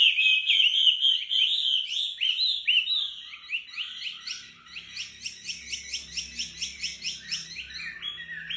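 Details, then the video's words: Wambi in lively tembakan rapat song, used as a model for training other songbirds: high, sharp whistled notes tumble in a fast, dense rattle, then settle into quick repeated chirps about four a second, with a faint low hum beneath. "Tembakan rapat wambi gacor"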